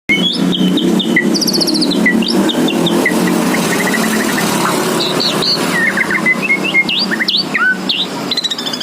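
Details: White-rumped shama singing actively: a varied, rapid string of clear whistles, upslurred and downslurred notes and short buzzy trills at high pitch, delivered almost continuously over a steady low engine-like rumble.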